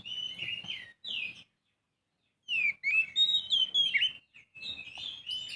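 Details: Young Oriental magpie-robin singing loud, clear whistled phrases of slurred and rising notes around a bright high pitch, broken by a silent pause of about a second before the varied phrases resume.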